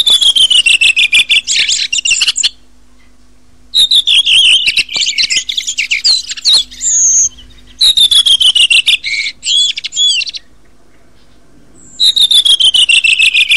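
Redwing song: four high, bright bursts, each opening with a sliding descending phrase and breaking into fast twittering chatter. Brief silences separate the bursts, with a faint low hum underneath.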